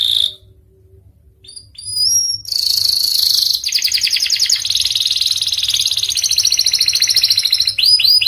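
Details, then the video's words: Panda canary singing strongly: after a quiet start with a few thin rising notes, a loud dense buzzy rattle bursts in, giving way to a long fast rolling trill that ends in sweeping slurred notes. "Kenari panda gacor"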